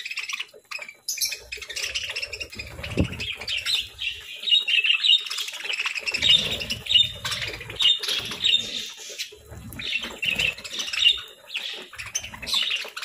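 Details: During breakfast time, kept parakeets chatter with a steady run of thin, high chirps and squeaks, over fluttering and rustling sounds and soft knocks.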